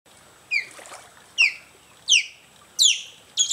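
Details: Osprey calling: a series of short, loud, downslurred whistled chirps, each sharp and piercing, spaced about every 0.7 seconds, with faint background hiss.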